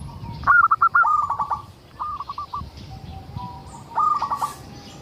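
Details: A local zebra dove sings to lure other zebra doves into song: a loud run of rapid stuttered coos, a softer phrase, then another strong trilled phrase.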